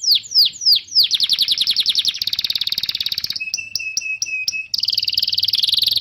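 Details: Training song of a canary, meant to tutor young birds and stimulate silent ones; swooping falling notes speeding into dense trills, then a row of clipped chirps and a buzzing high roll.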